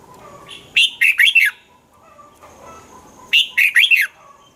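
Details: Red-whiskered bulbul kept caged, singing to excite other birds: two matching phrases of four quick, liquid notes that swoop down and up, with faint chatter between them.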